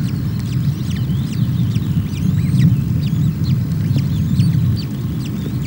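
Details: Osprey nestlings at Loch of the Lowes, Scotland, begging hungrily as female NC0 feeds them on 24 May, the third chick left without breakfast; sharp whistled, slightly slurred chirps in quick bursts above heavy low rumbling noise.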